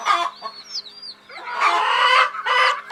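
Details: Chicks of a hen settling to sleep: a few high slurred peeps between long loud, rough broadband bursts that dominate the second half.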